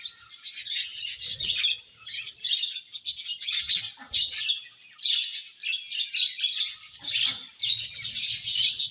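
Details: Many budgerigars in a cheerful colony keep up a busy stream of overlapping high twitters, warbles and sharp chirps, with brief dips between bursts and a few soft low bumps.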